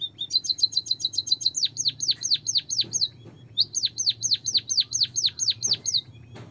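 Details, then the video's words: White-headed munia song used to coax lazy birds into singing: a quick run of high chips leads into swooping downslurred whistles, a brief pause, then another swooping series. There is a low hum beneath. "pancingan emprit kaji malas bunyi biar gacor - burung pipit bondol kaji suara asli dan isian"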